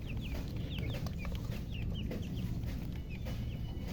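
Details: Chicken chirping, a hen also called murgi: quick high downslurred peeps, several a second in scattered bursts, over a steady low rumbling background hum.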